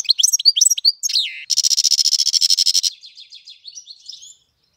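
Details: Goldfinch singing in April: bright, tumbling twitters lead into a long, rapid rattling buzz of evenly pulsed notes, then fading soft chatter.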